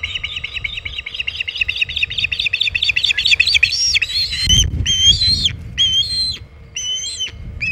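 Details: At the Hog Island osprey nest on 27 August 2019, near 3:50 pm EDT, with a big shad: a quick run of high chirps that turns into longer, rising, upslurred whistles, with a gust of low noise in the middle.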